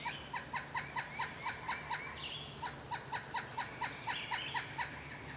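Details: Pileated woodpecker calling: a fast, even series of loud, hollow 'kuk' notes at about five per second. Two runs are split by a brief pause, over a faint low hum.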